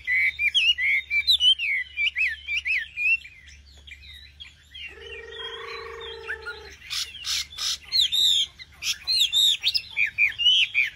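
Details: Nightingale in song: varied warbled and slurred whistles, then a pause with a lower steady tonal sound, followed by sharp clicking bursts and more looping whistled phrases.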